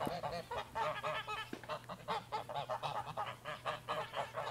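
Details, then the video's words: Domestic geese honking in a rapid, overlapping series of nasal, brassy calls, several birds at once, with a low steady hum underneath. "Domestic Goose"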